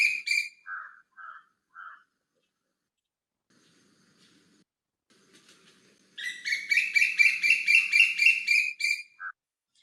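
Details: Asian koel contact or alarm call, used to warn each other of something uncertain or to communicate, and given by females towards males: shrill rapid runs of high kik notes, about four a second, in two bursts with lower notes between; faint low murmur.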